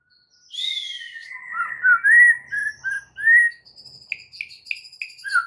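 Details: White-rumped shama in a training song full of fill-in phrases: a high descending whistle sliding into warbled middle notes, then rapid repeated short whistles and a final low slurred note.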